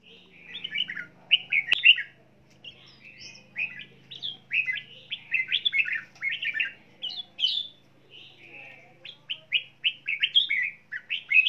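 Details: Red-whiskered bulbul, a kept songbird, singing while flapping its wings: bright, rapid warbled phrases of slurred whistled notes, repeated in bursts with short pauses throughout, a single sharp click near the start.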